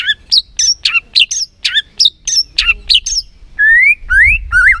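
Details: White-rumped shama lure singing for provoking a reluctant shama into full song: a regular series of sharp, high, downward-flicking notes, then long smooth rising whistles, with a faint low rumble behind.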